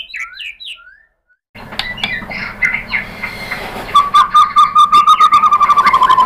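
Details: White-rumped shama lure song for provoking singing. A few high slurred notes fall silent, then a rasping, clicking passage turns into a long, steady, lower trill that repeats rapidly to the end.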